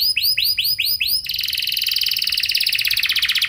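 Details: Canary singing an ornamented lure song with long extended phrases meant to prompt other canaries to answer: a handful of slow arched whistled notes, then a dense rapid high trill that carries on steadily to the end.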